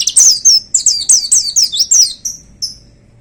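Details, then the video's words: White-eye (pleci) on a contest hanging pole pours out fast, shrill whistled phrases in the "tembakan" manner, roughly four notes a second, fading into two softer thin notes at the end. "Suara Tembakan Dahsyat Pleci Gacor"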